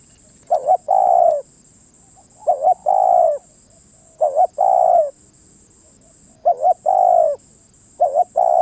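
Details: Repeated cooing of a spotted dove: five phrases, each a quick stuttered double note and then a longer mellow coo that sags at the end. They come about every two seconds, with a steady high hiss behind them.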